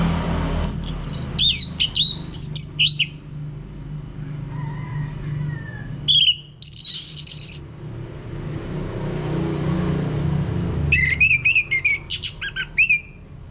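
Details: Lure song of the orange-headed thrush (anis merah) for prompting a male into ngeplong singing, North Bali: scattered phrases of high, twisting whistles and chirps come in three separate bursts, with faint softer notes and constant low hum between.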